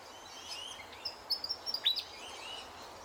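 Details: Willie wagtail calling in the morning among Australian birds: a run of short high chirping notes clustered near the end, set against steady background noise and faint distant chirps.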